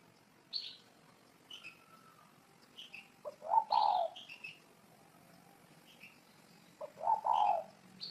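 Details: Spotted dove cooing twice, about three and a half seconds apart. Each call is a soft short lead-in note and a fuller, husky main coo, with small birds chirping high around them.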